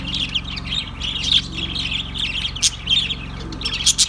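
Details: Budgerigar flock chatter: rapid overlapping chirps, squeaks and warbled phrases with a few louder sharp notes standing out, over a faint steady low drone.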